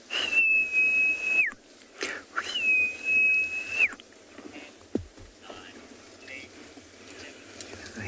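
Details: Young francolins give contact calls on a windy afternoon safari drive in a South African game reserve on 8 October 2020: two long, thin, level whistles, each over a second with a brief dip, while Burchell's starlings call faintly.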